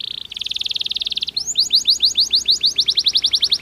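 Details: Canary song meant to boost breeding activity: a dense buzzy high trill for about a second, followed by a series of rising-then-falling whistled syllables at a steady pace.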